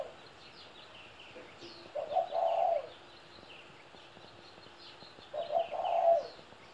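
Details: Two cooing phrases from a 17-year-old pet spotted dove, about three seconds apart. Each has quick low notes and then a steady prolonged coo, with faint high chirping of other birds in the background.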